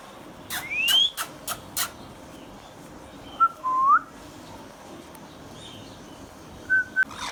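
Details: Green Indian ringneck parakeet kept as a hand-tame pet: a clean rising whistle, a few sharp clicks, a short swooping whistle, then faint level whistles, with quiet room background.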